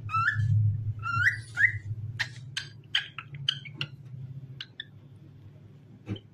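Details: Singing pet cockatiel: three rising, slurred whistles open the phrase, then a run of clicks and short chirpy notes, with a low steady hum underneath throughout.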